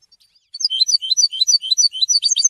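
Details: A goldfinch's first song after changing its feathers: a rapid, liquid stream of high tinkling and twittering notes that starts after a short pause and keeps going without a break.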